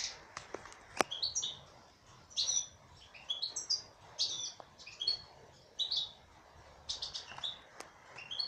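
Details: Female European goldfinch in rapid, jingling song: clusters of high twittered notes and buzzy slurs, separated by short gaps, with a few sharp clicks near the start.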